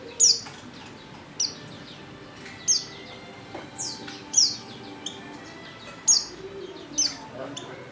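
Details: Female white-eye in heat calling to a male: a series of about seven piercing, downward-sweeping chirps at uneven intervals of one to one and a half seconds, with faint background noise.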